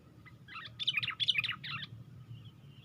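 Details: Lure recording of a sooty-headed bulbul raising its wings on a branch: one loud, tumbling burst of jumbled chirps and twittering notes lasting about a second, fading into quiet background hum.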